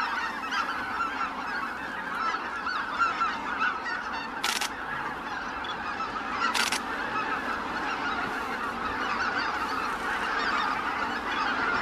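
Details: A large gathering of greater white-fronted geese departing their roost: continuous layered honks and yelping calls, interrupted twice by short broadband rushing bursts.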